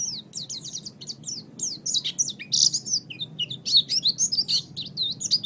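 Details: Master recording of an Oriental white-eye for training birds, a continuous rapid twitter of high, sharp, varied notes, slurring up and down, tumbling together without pause over a faint low background hum.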